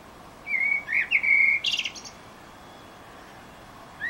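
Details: Song of a Eurasian blackbird in Utrecht, 9 June 2014. One smooth, fluting warble rises and dips, then ends in a scratchy high twitter. After a silence the next phrase begins.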